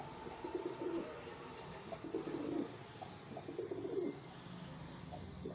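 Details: Low, soft cooing from reared wild pigeons in three separate rolling phrases, each about half a second long, over a steady background hum.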